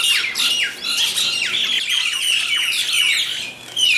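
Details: Myna birds fighting over food, giving dense harsh squawks and chattering screeches, overlapping and continuous with rasping downward-slurred notes throughout.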